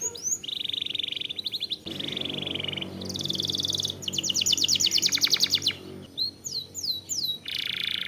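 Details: Canary song as masteran lure: buzzy rolled trills, a loud rapid high rattle, then looping whistled notes and another buzzy roll.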